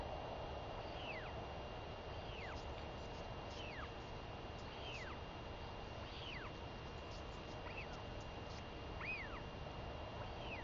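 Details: Royal albatross chick, female, talkative while begging her returned mother for lunch, 23 May 2021; a long series of about eight soft arched whistles repeated every second or so, fairly faint over continuous wind-like noise.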